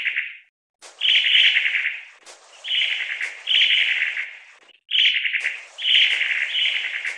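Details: Series of scratchy, pulsing rattle calls from a long-tailed tit (Aegithalos caudatus), five or six short churrs following closely with small gaps.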